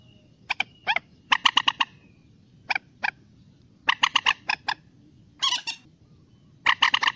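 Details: Common moorhen calls for hunting and trapping: bursts of rapid, harsh, harmonic chattering notes, single clucks between bursts, and one loud squealing note near the end. Steady low background hiss.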